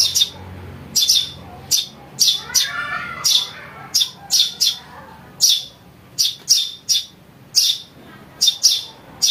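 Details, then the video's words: Eurasian tree sparrow chick, with calls meant to lure wild birds and to tutor caged songbirds. Around sixteen loud, high chirps come in an irregular run. A brief lower warbling note sounds early on. "Suara anak burung greja untuk mikat"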